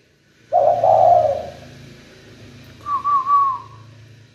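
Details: A captive spotted dove practising its song gives one long, low, mellow coo, then after a pause a higher three-part cooing phrase; no other clear sounds.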